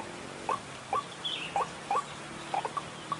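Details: White-breasted waterhen (ruak-ruak) call used as a lure for trapping, in oil palm plantation country: short rising notes repeated roughly every half second, steady and monotonous, over a quiet background.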